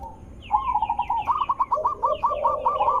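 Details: Zebra dove lure call meant to make other zebra doves answer, given as fast, rolling staccato coos in repeated runs with a lower purring undertone, high chirps above, and constant background hiss.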